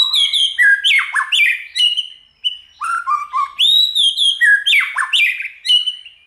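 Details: White-rumped shama song in many voices, meant to stimulate other shamas: bursts of bright descending and rising whistles, about two notes a second, with a short pause before a high sweeping whistle resumes the varied phrases.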